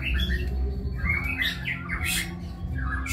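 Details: Kebyok-style song of a white-rumped shama: a run of quick, varied whistled notes and slurs, interrupted by a harsh noisy burst, over constant low background hum.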